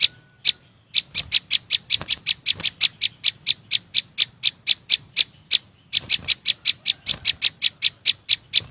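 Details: Chim sâu xanh singing: a steady series of sharp, high chipping notes, about three per second, each short and bright. There are brief pauses near the start and before the sixth second. Faint low rumble underneath.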